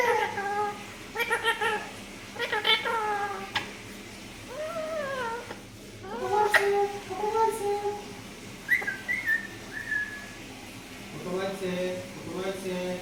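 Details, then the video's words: Green parrot kept as a talking bird, producing a mix of imitated speech syllables, short upward and downward whistled slides and clipped harmonic calls in bursts separated by quiet gaps. "আল্লাহ বলছে মিঠু টিটু দেখেন কুটুম আইছে বলছে"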